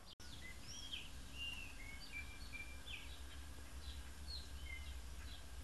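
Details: Bananaquit singing outdoors: a quick run of thin, high whistled notes, some slurred downward and others short and sharp, closely spaced over a steady low rumbling background.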